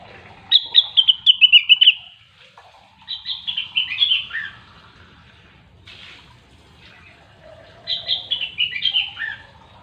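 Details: Grey-cheeked bulbul (cucak wilis, rengganis) singing lively 'gacor' style, used as a lure to get silent birds singing: three bursts of bright whistled notes that tumble downward in quick runs, separated by short pauses, over a faint low hum.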